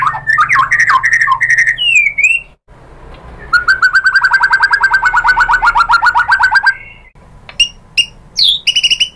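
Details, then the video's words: Lure song of a white-rumped shama meant to make other birds answer: a jumble of varied whistles, a brief pause, then a long, steady, mid-pitched rapid trill and a few sharp high notes at the end. "SUARA MURAI BATU bikin EMOSI NYAUT jadi GACOR BONGKAR MATERI ISIAN ¦ PANCINGAN MURAI"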